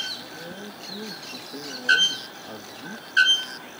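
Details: Bare-throated bellbird recorded in PETAR park, Iporanga, giving two loud, ringing metallic clanks about 1.3 seconds apart, like a hammer striking an anvil, over faint distant voices.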